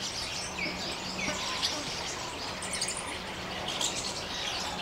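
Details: Jungle babblers in open forest, a small flock chattering constantly during mock fights with neighbouring kin: overlapping rasping calls mixed with short upslurred chirps, over a faint steady low hum.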